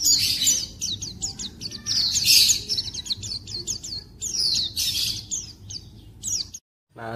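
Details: A pet white-eye (pleci) in the coarse "ngeriwik kasar" song stage, sung from the throat and copying other birds: continuous high, scratchy twittering with buzzy bursts and short whistled notes, fairly loud and clear, ending with a brief spoken word.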